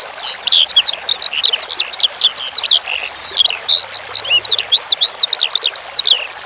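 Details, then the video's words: Branjangan, the Eurasian skylark, singing for bird training beside running water: continuous high warbling of arched whistled notes in fast series, each phrase bouncing up and down, with many short repeated motifs. "Masteran Suara Branjangan Sky Lark"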